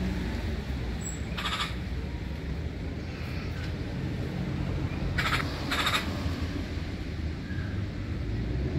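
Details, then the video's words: Black-billed magpie making a single short, rasping call, then a quick pair of harsh bursts a few seconds later, against a continuous low hum of background noise. "Black Billed Magpie Call"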